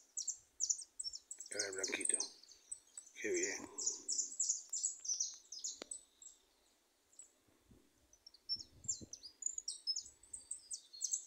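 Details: Several goldfinches singing loose in a small wooded patch give a fast, high, tinkling twitter of clipped notes that runs almost without pause; people talk briefly over it.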